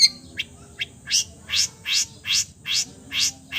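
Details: Long-tailed shrike imitating other bird calls. Two brief thin notes open a steady series of rising, buzzy, scratchy sweeps repeated about every half second.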